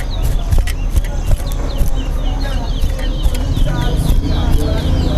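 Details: Chestnut-bellied seed finch (towa towa) at a Guyanese bird whistling competition, singing quick runs of bright, sweeping whistles repeated steadily beneath loud crowd chatter, counting voices and a deep background rumble.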